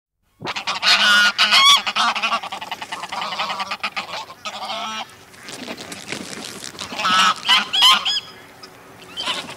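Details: A close flock of greylag geese gives loud, nasal, overlapping honks in excited bursts, broken by brief rushing wing-flaps, with a distant mallard calling.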